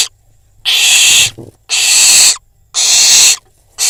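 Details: Fledgling barn owl on a nest cam in Israel, after a prey delivery, eating next to a nesting pigeon; long rasping hiss-screeches about a second apiece, repeated roughly once per second with quiet gaps.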